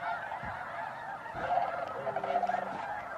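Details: Snow geese at Bosque del Apache, December 2009, around sunrise or sunset: a chorus of honks with some nearer, clearer calls standing out, and a low steady hum late on.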